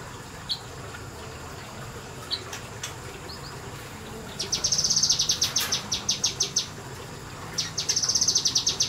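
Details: Kinoi bird in semi-wild surroundings, quiet at first with a few isolated high chips, then breaking into fast 'nembak' runs of sharp, high, repeated notes, two bursts in the second half.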